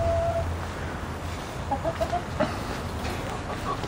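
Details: Backyard chickens, still penned and seemingly looking for food or wanting out, cluck softly, with a drawn-out note and then a quick run of short, mid-pitched clucks over a low rumble.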